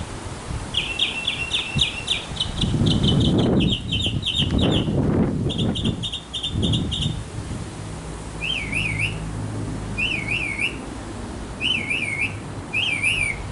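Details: A male mockingbird sings in a backyard to win a female. Rapid stuttering trills repeat in bursts, then change to looping wavy whistles repeated about every second, over low rumbling noise.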